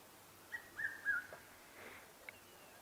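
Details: Red-chested Cuckoo (Cuculus solitarius) at sunset in the African bush, with a large storm blowing in from the south, gives its three-note whistled call, each note slightly lower, over faint background hiss.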